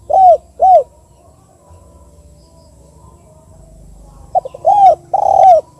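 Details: Spotted dove giving the 'kuk 2' call type, used as a lure to get other doves calling: two short arched coos, a long pause, then a louder run of three rounded coos close together, over a low background hum.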